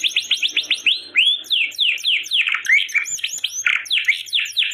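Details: Domestic canary in full song, used to stimulate other canaries after molt: quick chattering trills shifting into longer, sweeping slurred notes, varied and unbroken throughout.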